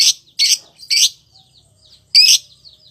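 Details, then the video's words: Lovebird calling in sharp, shrill, high chirps: three quick bursts in the first second, a pause, then a fourth louder chirp, with faint soft twitters between. "Suara Burung Lovebird"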